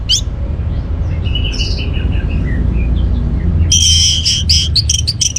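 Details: Orange-headed thrush song played to stimulate caged birds to sing. A low background rumble with soft whistles, then a burst of sharp, high, rapidly repeated whistled phrases near the end.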